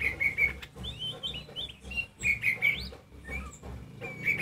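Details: Oriental magpie-robin, the kacer poci type, singing loudly to stir other magpie-robins into song. Short, sharp whistled notes come in uneven bursts, some repeated in pairs, over a low steady hum.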